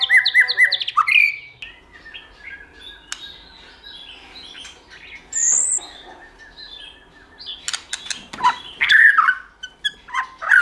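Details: White-rumped shama, a kept bird stimulated to sing; a quick burst of whistled notes opens, followed by a long quieter stretch with scattered soft notes, then harsher bursts of chattering calls near the end.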